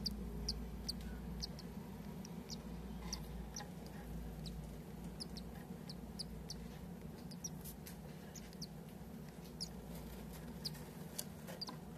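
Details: Cockatiel chick about six days old giving short, thin, high peeps, repeated irregularly several times a second throughout, over a steady low hum and faint background rustle.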